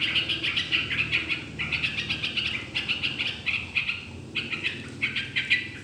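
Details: Yellow-vented bulbul singing to coax other birds into song: clipped bursts of bubbly chirps, each about half a second, separated by short gaps, with a low hum beneath.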